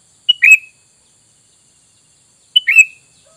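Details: Sooty-headed bulbul lure call meant to make wild bulbuls respond: two crisp phrases about two seconds apart, each a sharp note followed by a quick warbled falling whistle, with silence between them.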